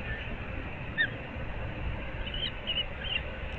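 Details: At a Florida nest in Naples' Moorings Park, an osprey of the resident pair calls early on the morning of 15 April 2024: one clipped high chirp at one second, then a run of thin repeated whistles against constant low rumble and hiss.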